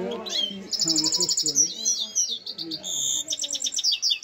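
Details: European goldfinch singing: bright, high twittering notes and quick tinkling trills in rapid runs, over faint low murmuring sounds in the background.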